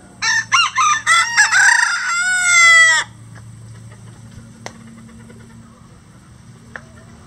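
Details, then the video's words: A farm rooster, one of at least 20 standard and bantam breed roosters that crow all day, gives a loud crow: choppy staccato opening notes, then a long ringing held note ending abruptly, followed by quiet background with occasional clicks. "20 Roosters Crowing For 20 Minutes"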